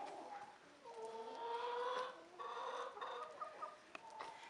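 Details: Rooster among hens crowing: a drawn-out harmonic call lasting over a second, holding steady then dropping away, followed by softer broken clucking notes and light background rustle.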